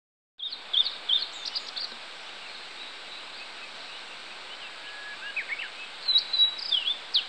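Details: Blue-and-white flycatcher singing on 16 July 2016: a high, clear whistled phrase of quick slurred notes, a long pause, then another phrase of sliding whistles and sharp upslurs, over steady background hiss.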